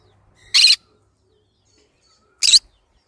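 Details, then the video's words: A pair of loud, grating green-cheeked conure screeches about two seconds apart, each short and buzzy, against near silence. "green cheek conure sounds"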